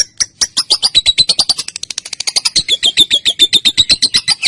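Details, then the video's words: Female lovebird giving the long ngekek call used to train other birds, a loud rapid chatter of sharp high notes repeated around four to seven times per second, gradually steadying into an even rhythm. "Suara Burung LOve Bird Betina Balibu Kusumo Ngetik Konslet Ngekek Pancingan Masteran Panjang"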